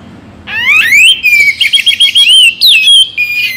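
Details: Oriental magpie-robin, played morning and evening to make birds keener to sing, opening with fast rising sweeps, then a rapid run of loud looping whistles and chattering notes, ending in a level whistle.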